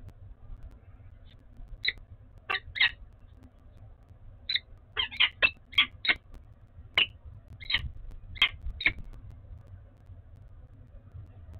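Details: A peregrine falcon of a bonding pair at Oudenaarde, 11 February 2021, gives short, harsh, chipping calls in irregular bursts, about fifteen in all, over a faint low hum.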